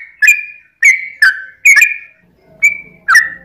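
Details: Yellow-vented bulbul singing a long 'ropel' song meant to provoke other bulbuls into answering: about six separate bright slurred notes at uneven spacing, with a faint low hum in the background toward the end.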